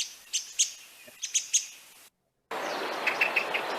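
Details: A Song Thrush in Essex gives an alarm or alert call: a handful of sharp, high, squeaky notes in quick pairs, higher than a blackbird's; after a brief silence, a hissier recording follows with similar but lower calls.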